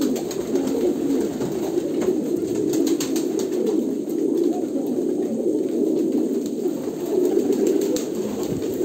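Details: Massed low coos from Kolkata pigeons run unbroken for nearly nine seconds, soft guttural rumbling layered thickly, with occasional brief knocks and rustles.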